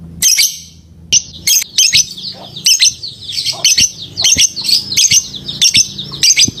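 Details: Lovebird giving sharp, shrill chirps and squawky notes in uneven bursts, some short and clipped, others drawn into scratchy chatter.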